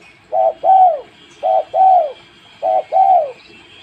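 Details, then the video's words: Spotted dove giving three evenly spaced double coos, a brief steady note leading into a longer rounded note that dips at the end, over a faint steady hum. "Tekukur lulut gacor"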